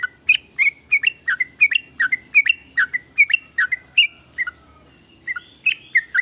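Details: Sooty-headed bulbul, called trucukan, singing varied bubbling phrases said to make other bulbuls jealous and join in; rapid series of short liquid whistled notes dipping and rising, about two or three per second, pausing near the end.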